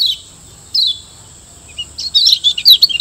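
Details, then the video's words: Used to train caged Lombok white-eyes: two isolated thin downslurred chirps, then a rising burst of rapid, high twittering notes. A steady high tone runs beneath. "Masteran Kecial Kuning Auto RESPON CEPAT‼️Gacor PERMANEN‼️"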